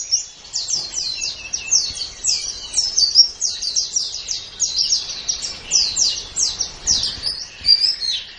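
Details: Japanese white-eye song used as a training recording for songbirds: a continuous, rapid stream of high, thin twittering notes in fast descending chirps, with no other sounds.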